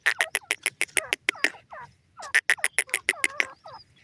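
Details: Young grey francolins playing, uttering quick series of sharp chipping peeps mixed with soft, bending whistled notes, in two bursts separated by a short pause.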